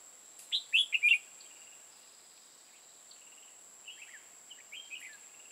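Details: Red-whiskered bulbul serving as a trapping decoy in Hòa Bình, Vietnam. It gives a loud three-to-four-note whistled phrase, then a pause. A series of softer, scratchy warbling notes follows. A continuous shrill tone sits in the background.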